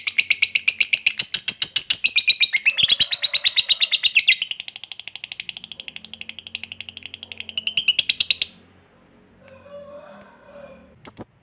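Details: A fighter lovebird's extended ngekek chatter, meant to rouse other lovebirds to answer. Dense, rapid, high chattering notes run for about eight seconds, then stop and are followed by a few scattered faint sounds and short squeaks.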